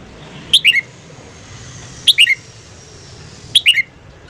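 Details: A red-whiskered bulbul's morning song for voice training, three clear, cheerful phrases of three falling whistled notes each, delivered about every one and a half seconds over a quiet background.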